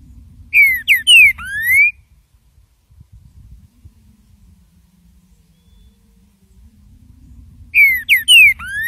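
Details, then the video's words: Green-winged saltator giving the estalando song for bird training, the same whistled four-note phrase heard twice about seven seconds apart, falling slurs ending in a long rising note, with quiet low hum in the pause. "ESTALANDO canto feito para treinamento de trinca ferro"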